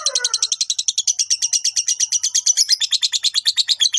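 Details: Long ngekek of a fighter lovebird, sung to provoke rival birds: a fast, steady, high-pitched chattering trill of evenly spaced pulses running without pause, after one short lower squawk at the start.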